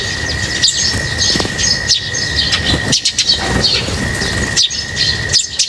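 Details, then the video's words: Lovebirds being fed keep up a high chirping chatter, broken by brief clattering noises and short pauses, with a steady whine underneath. "Feeding birds, their chirping is very relaxing"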